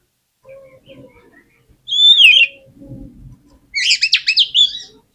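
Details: Oriental magpie-robin singing as a provoking lure for other magpie-robins: one loud descending whistled phrase, a soft low rumble, then a quick series of chattering, squeaky notes.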